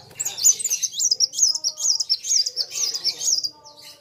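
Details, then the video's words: Sunbird known locally as kolibri wulung, singing against a rival: a steady run of high, sharp zigzag notes repeated in quick succession for about three seconds, then a brief fade. "BURUNG KOLIBRI WULUNG NARUNG GACORR KETEMU LAWAN SAMA" GACORR..RAMAII"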